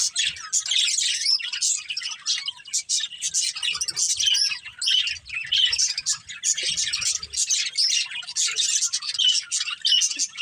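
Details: Several pet budgerigars chatter at once, a steady stream of bright, twittering chirps and scratchy warbles overlapping without pause, rising and dipping slightly in loudness.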